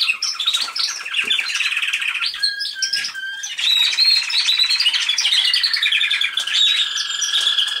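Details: A canary, possibly the registered American Singer male singing Roller-style rolls and flutes, gives a continuous run of rolling trills and chops, buzzy rattles, pure whistled notes and fast warbled phrases without pause.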